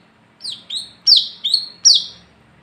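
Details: Night lure song of an olive-backed sunbird, or wiceh, in the 'gacor ngalas ngeplong' manner: five high, sharp notes, the first two softer, the later ones louder, each sliding down into a thin buzz.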